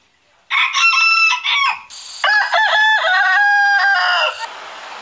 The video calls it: Rooster crowing